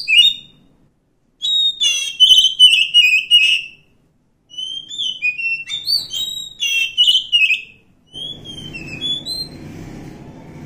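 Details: Oriental magpie-robin living wild, singing bright whistled phrases with quick warbled flourishes and downslurred notes in bursts separated by short pauses; a low rumbling noise enters near the end.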